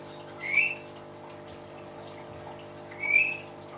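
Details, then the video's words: Common hill myna voicing two loud, upward-sliding whistles about two and a half seconds apart, over a constant low background hum. "BEO GACOR SUARA ALAM"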